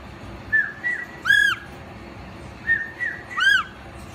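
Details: African penguin chick in a zoo, not yet on public display, answering a keeper's whistle: arched, harmonic-rich calls right after thin, level human whistles, twice in a row.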